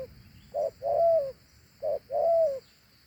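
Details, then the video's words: Dove with a two-note coo, the first note clipped, the second long and sliding slightly downward. Two evenly spaced phrases sound over a quiet background. "Thổ Hú âm gù hay.gù 2 âm gù quá tốt"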